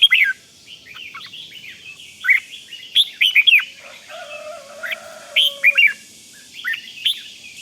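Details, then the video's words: Red-whiskered bulbul rik song for exciting other bulbuls: clusters of sharp whistled notes with a steady lower whistled tone midway and other bird chatter behind. "เสียงนกกรงหัวจุก ร้อง ริก ยั้วให้นกคึกดีมาก"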